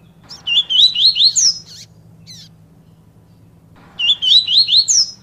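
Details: Bahian-style double-collared seedeater song: a fast run of looping, upward-slurred whistled notes ending on a piercing high note, then a pause of about two seconds before the phrase repeats, low mechanical hum underneath.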